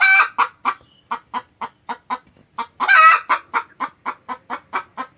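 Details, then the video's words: Cackling of a hen that has just laid an egg: a loud opening squawk, a string of regular short clucks, then a second long, rough squawk followed by more clucks. "Suara ayam betina selesai bertelur"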